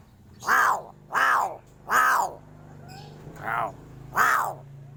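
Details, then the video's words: Crow repeating harsh, raspy caws about once a second, five in a row with a short pause before the last pair, over a low background hum. "SUARA ANEH Burung GAGAK"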